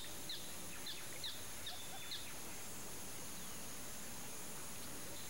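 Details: White-faced whistling duck pair giving a series of five short, high, sharp whistled notes about half a second apart, the last trailing into a thin drawn whistle, then quiet hiss with a faint constant high tone.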